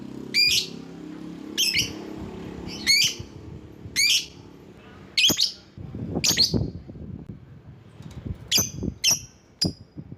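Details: Lovebird calling to lure other lovebirds: sharp, high buzzy chirps with a downward sweep, given singly about every one to one and a half seconds, later in quick pairs and triplets, over low rumbling background noise.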